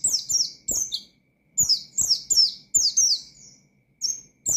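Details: Oriental white-eye singing vigorously in ngalas style with 'nembak' shooting notes, calling out rivals to provoke them: bursts of high, thin, downslurred chirps in quick runs, with short pauses between phrases and a faint steady hum.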